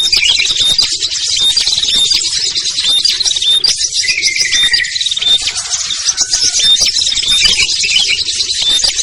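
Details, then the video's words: Calling mix of small birds (ciblek, kutilang, trucuk, sogon, perenjak) for luring birds to come down; short piercing whistles repeated roughly every second over a dense, unbroken chorus of high chirps. "SUARA PIKAT BURUNG KECIL burcil AMPUH"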